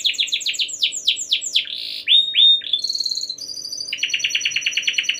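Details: Canary in full song, meant to set other canaries singing: quick descending swoops repeated rapidly, then a few rising whistles, a high bell-like trill and a steady rapid chatter to the end.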